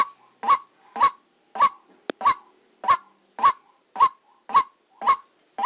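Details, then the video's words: Recorded during trapping, a white-breasted waterhen decoy gives evenly spaced, raspy, nasal calls. One sharp click interrupts the series midway, and the bird's monotonous repetition continues afterward. "Tiếng Quốc Mồi Ghi âm trực tiếp lúc đánh"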